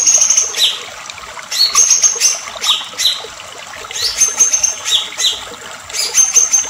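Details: Agitated white-rumped shama song: short bursts of very high, thin whistles and sharp downslurred notes, in clusters roughly every second, with a constant watery hiss in the background.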